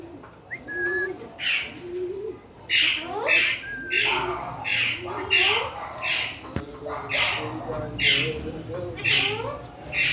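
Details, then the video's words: A pet rose-ringed parakeet gives harsh, raspy screeches about once a second, mixed with short, rising whistled notes, over faint background noise. "Ringneck parrots videos 🦜🦜 cute my parrot voice"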